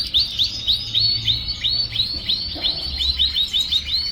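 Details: Young canary, expected to breed well next season, working to firm up its song: clear whistled upswept notes repeated about three times a second, with a low hum underneath.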